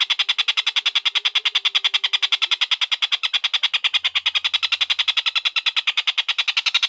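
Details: Collared kingfisher, locally tengkek buto, in a long-duration recording for training lovebirds: unbroken, rapid-fire harsh kek notes, about nine each second, steady and loud throughout, with a faint low hum early on.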